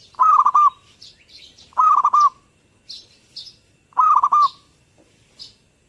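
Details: Zebra dove in full song, three phrases of rolling, hollow coos, each a run of four or five clipped notes, roughly two seconds apart, while small birds chirp faintly and high in the background.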